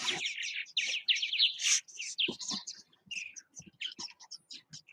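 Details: Purple Martins at nest houses in Southwest Missouri: dense, overlapping gurgling chirps and throaty warbles, rapid and jumbled, from several birds calling at once, with short pauses after the first second.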